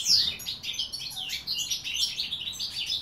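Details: Goldfinch song from 2016 opens with a sharp descending note, followed by a continuous flow of fast, bright twittering phrases.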